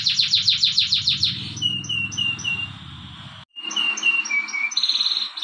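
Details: Canary singing a training song in the morning: fast descending notes repeated in a burst, then spaced high whistled notes over a low rumble, a short break, and more whistles.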